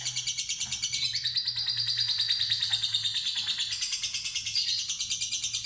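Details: Fighter lovebird delivering the ngekek ngetik trill: a continuous fast, buzzy rattle with a whistled overtone, over a faint steady low hum.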